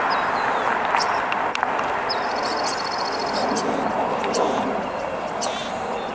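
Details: A chatty European starling perched on a utility wire at an elementary school by Cardoza Park, California, gives thin, high whistles, some flat and some down-slurred, about one a second, faint beneath steady traffic roar.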